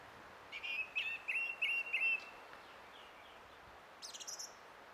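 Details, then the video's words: Song thrush, filmed 20 April 2016 and identified as probably this species, repeats a short, clear whistled phrase five times in quick succession, then a few faint notes and a brief high twittering burst. "Kaunis ääni linnulla - Laulurastas"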